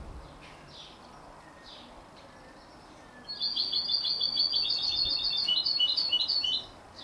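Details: Canary x European goldfinch hybrid chick, 33 days old: a few faint high chirps, then a burst of rapid, high, twittering notes repeated about three per second for roughly three seconds, over a quiet background hiss.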